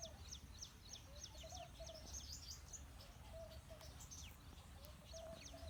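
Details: House sparrows, a male and a female, giving dense, rapid high chirps throughout, with steady low rumbling background noise and a few lower, drawn-out tones beneath.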